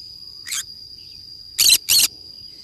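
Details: Green-cheeked conure, alone at play in a forest, gives one short rasping squawk followed by a louder pair of harsh screeches in quick succession, backed by a continuous shrill insect-like tone.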